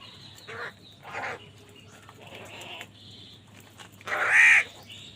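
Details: Crows fighting for food, giving harsh, hoarse caws in short bursts, the loudest and longest near the end, over a low steady hum.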